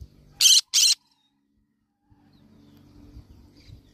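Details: A yellow-sided green-cheeked conure parrot gives two quick, harsh, rasping screeches in a row, followed by a low background hum.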